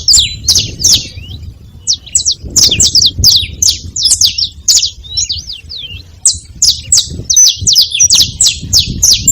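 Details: Saffron finch at a feeding spot, making high, sharp down-slurred chirps in quick, uneven bursts with short breaks. Faint low rumbling background noise runs underneath.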